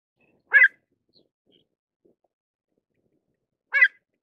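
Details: Two brief, sharp, harmonic calls of a pied avocet, separated by about three seconds of near silence with faint soft clicks.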